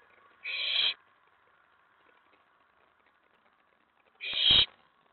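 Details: An owlet in a nest box at night, 19 May 2017, is stirred up after a mouse delivery when an owl lands on the tray. Two harsh hissing screeches come nearly four seconds apart, with a knock under the second.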